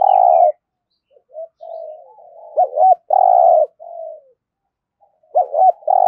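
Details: Spotted dove 'thổ'-style cooing for stimulating newly caught birds: a long coo, then gentle wavering murmurs leading to a double hooked note and another strong long coo, repeated at the end.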